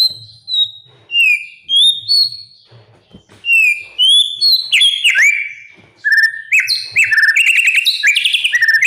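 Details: Oriental magpie-robin song recorded to train young birds toward loud, fluent singing: clear whistled phrases, some sliding down and others rising, spaced about half a second apart, then quickening into a dense run of rapid repeated notes, mimicry-like and varied.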